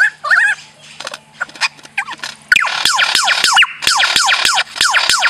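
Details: Lyrebird in a forest copying sounds it hears: warbled whistles and chattering notes, then a loud run of sharp descending whistled sweeps, about three or four per second.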